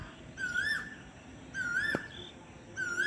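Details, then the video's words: Asian koel at sunset, calling in spring as a herald of spring: a clear, rising whistled 'ku-hoo' repeated about every 1.2 seconds over a soft background hum. "মা আপনারা শুনতে পাচ্ছেন কোকিলের কুহু কুহু কন্ঠে সেই সকলের পরিচিত সুর"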